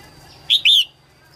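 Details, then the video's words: Red-whiskered bulbul hen in early-season song (2022), singing to excite males. She gives a single crisp two-note phrase, a quick whistle followed by a longer warbled slur, over a quiet steady background. "Tiếng chim Chào mào mái hót kích trống đầu mùa 2022"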